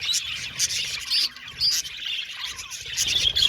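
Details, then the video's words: Budgerigars in an aviary colony giving dense, overlapping high chirps and chatter, with brief bright whistled notes rising above the steady twittering; loudness swells and dips in short bursts. "Budgie Sounds for Lonely Budgies | Natural Relaxing Chirping Sounds"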